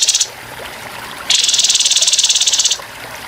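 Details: Grey-headed babbler singing its coarse 'tembakan kasar' over gently murmuring water: a brief rattle opens, then after a pause one long, high, buzzy trill lasting about a second and a half.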